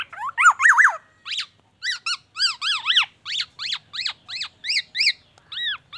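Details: Black-naped oriole singing a mimicked repertoire of oriental magpie-robin phrases and an ambulance siren: a run of rising-then-falling swooped notes with bright harmonics, repeated about twice a second in separate bursts, in a quiet room.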